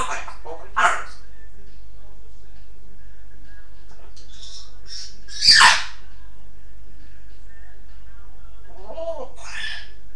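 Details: A pet African grey parrot makes speech-like bursts of mimicked sound, spaced across ten seconds, with one sharp, harsh squawk in the middle. Between the bursts the indoor background is quiet.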